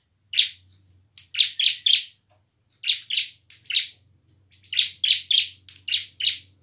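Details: Bar-winged prinia singing excitedly, loud sharp high chirps in quick bursts of two to five notes with brief pauses, over a faint low hum; used to prompt reluctant prinias to sing.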